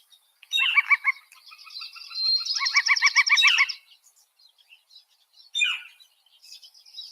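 Northern Flicker contact calls: a quick run of bright, paired notes, then a single loud, downslurred 'kyeer' near the end, with softer bird notes behind.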